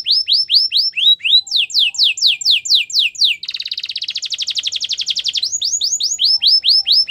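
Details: Canary training song: evenly spaced arched whistles that quicken into a rapid descending series, then a dense pulsed trill, and a return to the slower slurred whistles.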